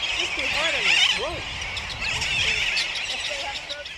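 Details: Sooty terns on Johnston Atoll on 19 June 2001 give a dense chorus of overlapping nasal, rising-and-falling cries over a steady hiss of wind or surf.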